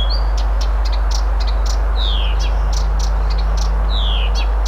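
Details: Blyth's reed warbler singing in Moscow, Russia, on 1 June 2021, an unhurried, varied song of sharp clicks and high, sliding whistled notes.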